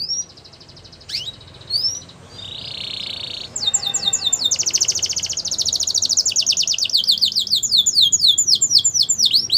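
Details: Yellow Belgian canary in song: a few scattered whistles and a short buzzy note, then long series of fast repeated sweeping notes, rising and falling, roughly two per second growing denser, over faint hiss.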